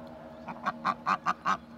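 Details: Domestic duck calling in a quick series of about six short, nasal quacks over under two seconds, each louder than the last, against a quiet background.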